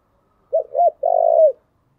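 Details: Decoy spotted dove in its thúc, gù and gáy gọi calling: two short curved low coos followed by one long, slightly vibrating coo that trails downward, in an otherwise quiet background.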